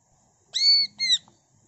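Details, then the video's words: Greater green leafbird producing imitated notes: two clear, pure whistles, the first long and level, the second shorter and gently falling, against a quiet background. "CUCAK IJO GACOR BONGKAR ISIAN NGENTROK"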